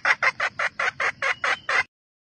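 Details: Red junglefowl hen calling to stimulate the cocks, here a rapid run of nine loud, harsh clucks spaced about a fifth of a second apart, then quiet.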